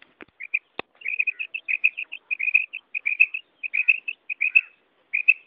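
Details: Quail hen uttering karak calls: after two opening clicks, a steady stream of short, bright chirps follows in loose groups, with brief pauses between them.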